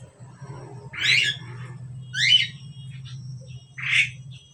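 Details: Asian pied starling pair calling. Three rasping, squawky notes come about a second apart, the second one sharper and descending, with a faint low hum behind.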